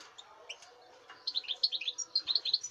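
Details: European goldfinch song, 05.08.2019: after a quiet start, a quick run of bright, high twittering notes begins near the midpoint and continues steadily to the end, with faint background hiss.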